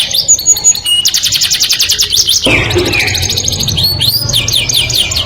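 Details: Melodious canary song for attracting the opposite sex: rapid high pulsed trills and a bright whistled note, with a low rumbling background noise entering halfway and arching sweeps near the close.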